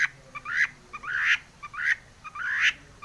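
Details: Long-tailed shrike, used as a lure to provoke other shrikes to sing, gives four harsh rising calls, each about 0.7 seconds apart and preceded by a short note.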